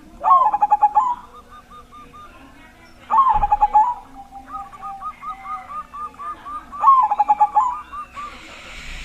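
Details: Perkutut, a zebra dove with a big voice, singing to set off other doves; three bursts of fast pulsing coos, each followed by strings of short, even cooing notes.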